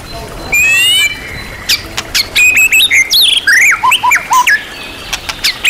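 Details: Champion-class white-rumped shama delivering master song packed with varied material. A high slurred whistle opens it, then a pause, then sharp clicks, chattering notes and a cascade of descending whistled slurs.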